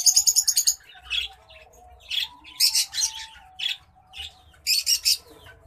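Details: Courting white-headed munia giving repeated bursts of very high, fizzy pulsed notes, each lasting under a second and separated by short gaps with softer mid-pitched chips in between.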